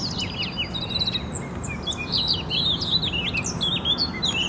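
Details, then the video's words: In Poznań, Poland, during spring 2018, Eurasian blackcaps sing a rapid, rich warble of twisting whistles and chirps, growing denser and louder toward the end, over faint low rumble. "Kapturki ... pięknie śpiewające ptaki."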